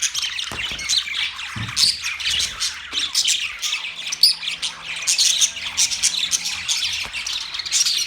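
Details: Several budgerigars chirping and squawking in a steady high chatter, with faint low hums and a few dull knocks in the background.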